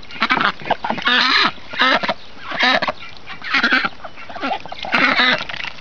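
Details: Rouen ducks in their new outdoor pen quack loudly: harsh, nasal quacks in rapid bursts of two to four, with brief pauses between bursts.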